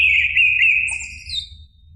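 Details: A short orange-headed thrush song fragment meant to prompt a caged bird. A continuous, wavering whistle holds its pitch, with a thin higher note added midway before fading out. Low hum beneath.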